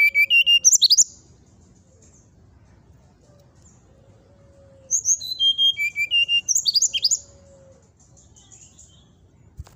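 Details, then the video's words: Two phrases from a brown-chested jungle flycatcher used to provoke rival birds: each a run of bright whistles falling in steps, followed by rapid squeaky flourishes, separated by about four seconds of quiet with a faint low hum. "suara pancingan srdc agar lawan cepat emosi gacor,auto langsung cepat respon"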